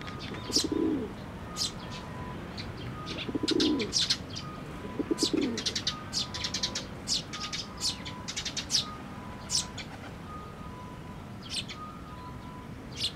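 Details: Nestlings waiting for a parent bird to feed them at a Tenmangu shrine on 22 May 2024. Bursts of thin, high chirps come in quick clusters every second or two, with low soft dove-like coos at the start.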